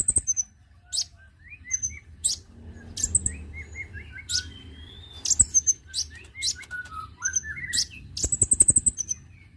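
Konin calling in a quick run of very high, sharp chips and short trills, mixed with thinner mid-pitched whistled notes, in bursts every second or so.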